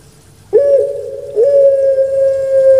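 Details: Domestic puter pelung dove coos: a short rising hiccup, a brief gap, then a long flat resonant hum held to the end.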